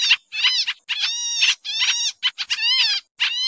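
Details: Pied triller lure call used for trapping birds, described as noisy and agitated: harsh, nasal, strongly harmonic bursts with bent, slurred notes, delivered in rapid clusters separated by short gaps, loud and clean with no other sounds.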